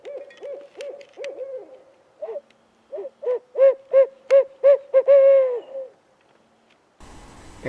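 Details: Barred Owl hidden in trees, calling and responding with robust return calls after another owl flew off: quiet hoots build into a loud rhythmic series and a drawn-out falling final hoot, then a burst of noise.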